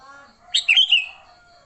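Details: Sooty-headed bulbul singing in fighting mode, a sound used to lure other bulbuls: one short rich bubbly phrase of three warbled notes, with faint low tonal hum behind.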